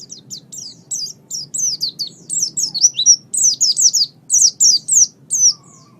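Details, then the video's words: Oriental white-eye song in a master recording used to train pet birds. A steady series of bright, high, falling whistled chirps, paired and repeated about once a second, rising in loudness, over quiet hum. "MASTERAN GACOR - Suara Burung Pleci"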